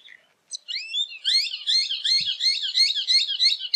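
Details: Dense, overlapping shrill chattering from rufous horneros, rising at first and then running on as a fast, jumbled series of high notes.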